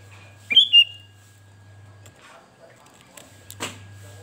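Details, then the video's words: Sooty-headed bulbul, a male kept as a cage bird, gives a short pair of clear whistled notes near the start, one rising and one level, then near silence broken by a single sharp click. "kutilang gacor"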